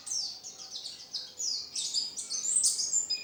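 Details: Oriental white-eye (pleci) in lively full-repertoire song for contests: a steady rush of high, thin chirps at about three per second, each slightly downslurred, rising to louder bright notes toward the end.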